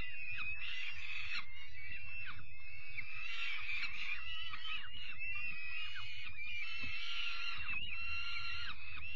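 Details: Harsh, wheezing screams of peregrine falcon chicks at their evening meal, 5 May 2021, rising and falling in near-unbroken overlapping calls with low rumble below.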